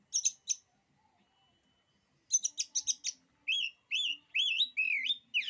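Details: Oriental magpie-robin singing, said to make other magpie-robins lose their nerve: short buzzy broadband notes in clusters, then a run of loud slurred whistles rising and falling, each about a third of a second, repeated steadily.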